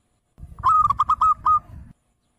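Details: Local zebra dove (perkutut) song used as a lure to make other doves answer: one phrase of rapid, bubbling cooing notes on a steady mid pitch, a few clipped beats then a longer final note, over a low rumble.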